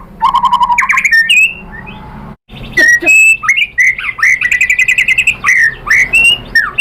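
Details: Lure song of the white-rumped shama (murai batu): a low buzzy rattle, then after a short break a lively mix of ringing whistles, rapid even trills and sharp flicked notes.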